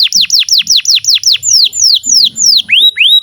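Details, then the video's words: Canary song meant as a master recording to teach young canaries and birds that have stopped singing: a fast run of high, downward-slurred whistles, about eight per second, slowing into longer, sweeping descending notes. "SUARA BURUNG Kenari GACOR PANJANG INI Cocok untuk Masteran KENARI PAUD dan Kenari Macet BUNYI"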